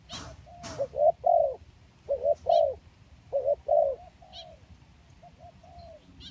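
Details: Lure recording of spotted doves, kacuk and kampung kinds: throaty coo phrases of quick notes and a longer final note, three phrases then softer trailing coos, with scattered high bird chirps and a couple of clicks.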